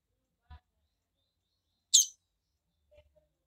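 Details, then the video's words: A female double-collared seedeater, a calling female said to rouse any male, gives one sharp, high, buzzy chip amid near silence, with a couple of faint low knocks before and after. "FÊMEA de COLEIRO PIADEIRA APRONTA qualquer COLEIRO"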